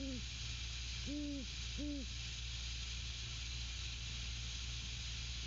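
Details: Great horned owls at their nest on 12/06/22 at 21:50, male hooting to his mate: three deep, even hoots in the first two seconds, then silence over a steady low hum and broadband hiss.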